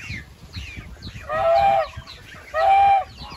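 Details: Two loud, drawn-out goose honks about a second apart, each nasal and steady, with softer, higher calls from other birds before and between them.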